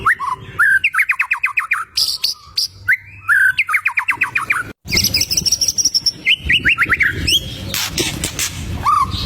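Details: Prolific white-rumped shama song meant to make rivals agitated: quick rattling trills of repeated notes, then a long, high, sustained whistle and a run of rippling notes ending in a falling whistle.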